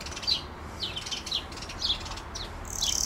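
A European greenfinch gives short, bright twittering chirps about twice a second, ending in a thin, drawn-out wheeze, over a low background rumble.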